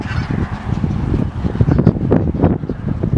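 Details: Snow goose (Anser caerulescens) flock in Dare County, North Carolina, USA, on January 23, 2017: a dense chorus of nasal, barking honks, with many birds calling at once in a steady overlapping clamor.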